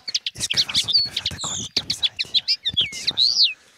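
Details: Common linnet song, a small farmland bird of the French countryside whose numbers are declining. A rapid, varied twittering of high chirps, buzzy trills and fluty slurred whistles runs almost continuously for nearly four seconds.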